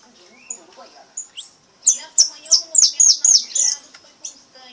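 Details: Pardo goldfinch singing a repique: a few thin high notes, then a run of about eight loud, piercing downslurred notes in under two seconds, ending in softer chips.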